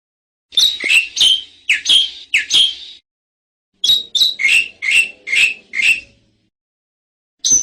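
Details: Bali myna singing for a masteran recording: two bursts of short, harsh, buzzy notes, five or six in a row, separated by silence, ending with one sharp note.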